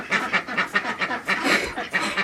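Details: Domestic ducks on a warm, humid morning, irritated and wanting to be let out of their enclosure, quacking in a rapid, nasal series of about four or five harsh quacks per second, overlapping from several birds.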